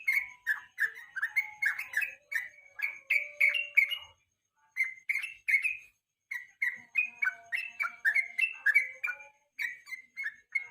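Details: Yellow-vented bulbul giving its evening lure song for training contest songbirds: phrases of fast, liquid whistled notes separated by two short silences, the bird restarting each time with the same bright, rolling pattern.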